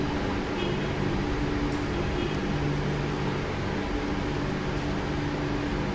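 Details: Steady hum of a fan or appliance fills a small indoor room, with a low drone and no animal calls.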